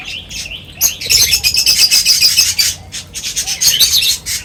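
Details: Several birds at feeding time chatter in dense, high, rapid chirps, about four per second, rising into a busy burst before a short pause.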